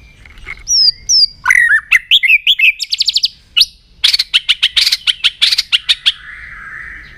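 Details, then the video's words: White-rumped shama morning song in voice training: paired high whistles, then a fast burst of sharp, stuttering notes and rapid trills, finishing with a long, lower whistle. "chòe lửa hót sáng luyện giọng chòe lửa hót"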